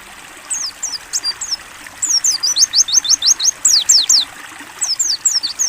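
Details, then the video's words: Mountain white-eye song used as a training recording in the ngalas buka paruh style: rapid bursts of very high, thin, down-slurred chirps in quick irregular runs, with faint trickling water behind. "AUDIO MASTERAN PLECI NGALAS BUKA PARUH JERNIH + TERAPI AIR"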